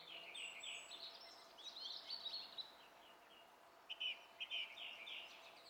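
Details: Song thrush recorded 27 April 2016 giving softer, twittering song phrases, a short pause, then a few louder repeated chirped notes against background hiss.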